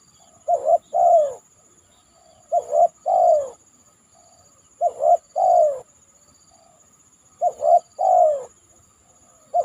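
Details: Spotted dove calling after heavy rain, tried out on a banana trunk: soft phrases of two short coos and a longer downslurred coo, repeated roughly every two to three seconds, with a steady thin high whine throughout.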